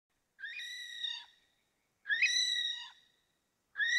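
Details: Okarito kiwi calling with shrill, upslurred whistled notes, each about a second long and rich in overtones, spaced roughly every one and a half seconds against a silent background.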